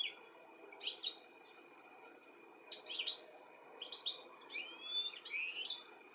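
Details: European goldfinch calling for its young, UK, summer 2017; repeated high chirps and tinkling twitters, including rapid sweeping trills near the end, over a faint electrical hum.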